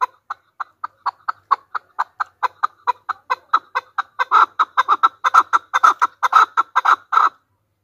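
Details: Chakor or chukar partridge (Alectoris chukar), a hunter chukar: clucking call starting as spaced short chucks, then speeding up and building into louder, longer, doubled notes, a continuous rattling series lasting about seven seconds.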